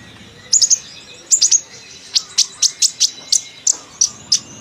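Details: Chattering sunbird producing bright, very high chips, first in tight triplets, then as a steady series of single notes spaced roughly every third of a second.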